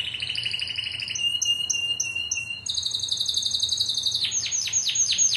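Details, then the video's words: Song of a Timbrado canary, 2009 competition team: a low rolling trill shifting to spaced water-like high notes, then a continuous high pulsing rattle ending in rapid downward-swept strokes. "Santa's Slay Timbrado 2009"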